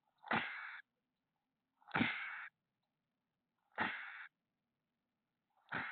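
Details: A female chestnut-backed chickadee on a nest with young, near San Francisco at 8:06 PM on May 27, 2021, gives four harsh breathy snake-like hisses about two seconds apart, each about half a second, to scare off a larger bird landing on the nest box.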